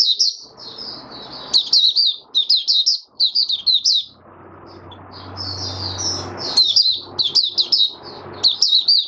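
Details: Oriental white-eye in a cage singing open 'buka sing' song on 20 January 2022, five days after deworming. Bursts of high, bright, slurred twitters stop for about two seconds of low humming noise, then the fast warbling resumes.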